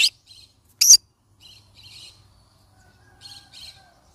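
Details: Two loud, harsh screeches from a yellow-sided conure parrot less than a second apart, followed by quieter scratchy chatter and a faint thin whistle, over a soft low hum.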